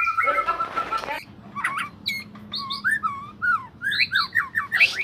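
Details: White-rumped shama (murai batu) singing as a lure for silent birds: a harsh scratchy burst, then crisp separate whistled notes, many rising or hooked, repeated at a quick pace.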